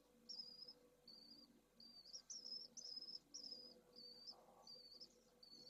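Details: Pallid swift nest at Jerez de la Frontera with two chicks of the second clutch just hatched, seen by a live nest camera in hot weather. Short, piercing high notes come in a loose irregular row, roughly two per second, with faint background hum.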